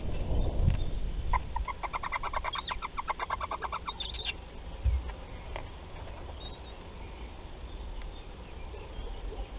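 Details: Barn owl in a nest at Théding on 10 July 2020, at the hatching of the second chick: a rapid run of harsh, pulsed, chittering notes lasting about three seconds, then a few scattered clicks over a steady low rumble.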